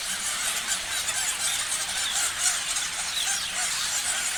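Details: Parrots in a crowd chirp and squeak continuously, with a few clearer whistled upslurs rising above the shrill, dense chatter.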